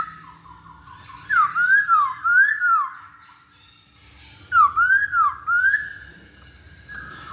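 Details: Masked laughingthrush singing, played as a lure to prompt birds to sing quickly: two bursts of loud, rich whistles, each a run of four undulating rising-and-falling phrases, separated by a quiet pause.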